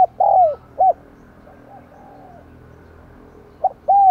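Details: Decoy spotted dove calling to attract wild doves: the end of a phrase with a long falling coo and a short hoot, a quiet gap, then a new phrase beginning with a brief note and a sustained coo.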